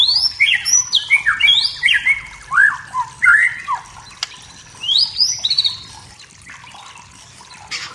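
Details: Forest-dwelling wild white-rumped shama singing to provoke emotion in rivals, giving a rapid string of clear downslurred whistles at varied pitches, then a short high phrase before fading into quiet background.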